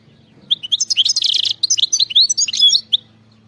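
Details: European goldfinch, a wild bird, delivering a rapid, jumbled phrase of bright tinkling twitters and short slurred whistles, with dense chattering notes early and a clear rising slur near the end.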